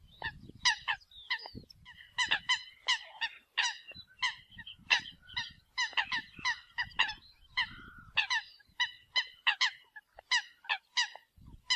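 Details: Decoy calling of Eurasian coot: clipped, nasal honks crowd together in quick uneven series, some notes sliding lower, with faint low rumbling underneath throughout.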